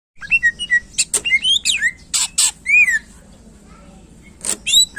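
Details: Greater green leafbird (cucak ijo) song used to stir up contest birds: rapid varied whistled notes, sharp sweeping upslurs and downslurs, loud bursts around two seconds, then quiet before a final flurry of phrases.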